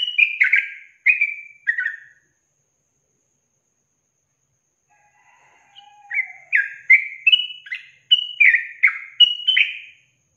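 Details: Long-trill ('ropel panjang') training song of a yellow-vented bulbul: three quick clusters of chattering, slurred notes, then a pause broken by a faint lower drawn whistle. A second rapid burst of rising and falling bubbly notes follows.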